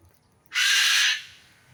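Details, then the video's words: One loud, rasping screech from a bird, held for about half a second and then fading, over faint low background noise. "Suara Burung"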